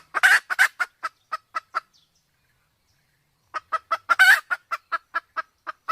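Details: Sumatran red junglefowl pair, male and female, the female in heat, used as a hunting lure; a few loud harsh notes, then spaced single clucks, a pause, and another regular series of clucks.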